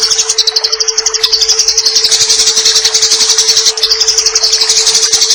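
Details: Fighting-style Eurasian tree sparrow chatter for tutoring songbirds: crisp high chirps repeated quickly and steadily for about five seconds, rising and falling slightly in pitch, with a steady hum and added water sound behind.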